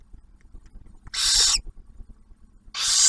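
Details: Barn owl at a nest near Oak Harbor, Ohio, as the male delivers a meal shared by the female with the first owlet; two loud, breathy hissing screeches, about half a second each, with light scratching between.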